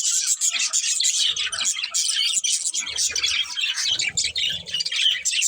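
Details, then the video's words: Budgerigar family chattering: bright, rapid chirps and scratchy warbles layered over each other nonstop, with occasional low rumbling bumps in the background. "Cute Budgies Chirping Sounds"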